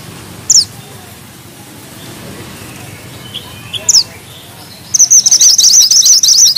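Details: Singing bushchat (mantenan gunung), rolling tightly: two separated sharp high downslurred chips, soft faint notes, then a dense, fast, continuous high trill lasting over a second and a half.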